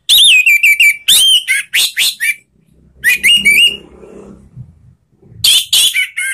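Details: Orange-headed thrush sings loud, open-voiced song full of varied bursts of clear whistles and rapid chattering notes, high-pitched and energetic; recording used to provoke other kept thrushes into singing.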